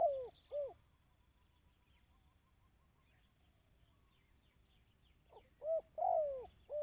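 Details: Dove calling to train decoy birds: a pair of rounded coos opens, followed by several seconds of near quiet with faint distant chirps, then a fresh run of short and drawn-out falling coos.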